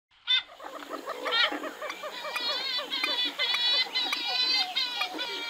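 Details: Western swamphen giving a dense chorus of nasal, harmonic calls, several overlapping voices rising and falling in quick succession with steady ticking in the background.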